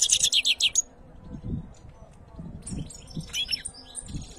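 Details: Canary singing: a fast, bright, high trill of rapidly repeated notes lasting under a second, then a pause and scattered high chirps and twitters, with soft low thumps in the background.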